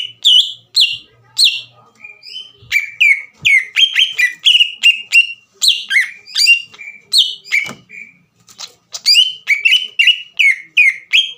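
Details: Green leafbird in full song meant to anger a rival bird into singing: bright whistled notes and short trills in quick bursts, with a few brief gaps between phrases.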